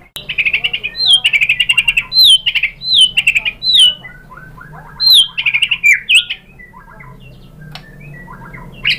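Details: White-rumped shama song meant as a lure to make other shamas answer, fast series of loud sweeping whistles and rattling phrases repeated in bursts, over a faint low hum.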